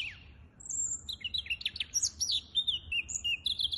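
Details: Recorded 23 April 2023, a hybrid finch gives a jumbled twittering song of high whistles, sharp downward chips and short trills, steady and continuous.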